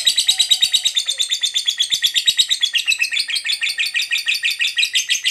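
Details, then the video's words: Lovebird of the fighter type giving a long 'ngekek panjang' chatter, used as a lure to provoke other lovebirds: a fast, unbroken run of harsh, buzzy high notes, about three per second, dipping slightly lower near the middle. "Pancingan Suara Lovebird Ngekek Panjang"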